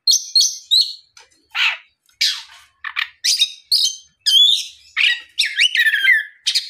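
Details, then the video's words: Oriental magpie-robin in full afternoon song, played to provoke rival magpie-robins to sing back; quick sequence of bright whistles mixed with rough, buzzy syllables and a twisting high note near the middle. "SUARA PIKAT BURUNG KACER GACOR NGEPLONG SORE MEMANCING KACER LAIN SUPAYA LEKAS BUNYI NYAUT & GACOR"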